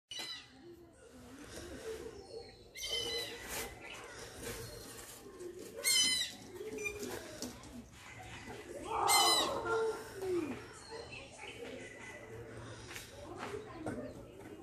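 Indian Grey Hornbill giving harsh, squealing calls in irregular bursts a few seconds apart, loudest near the end, over steady background noise.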